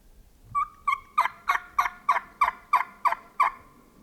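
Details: Wild turkeys in a fall flock with long-bearded gobblers, feeding in a hemlock stand across a ravine in the morning, give a run of about ten loud, evenly spaced yelps, roughly three a second, with two softer notes first.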